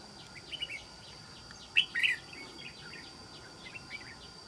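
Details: A wild-caught red-whiskered bulbul kept for trapping, noted for its island-forest voice, sings a short, loud, clear warbled phrase midway, with scattered faint chirps before and after and a steady background hiss.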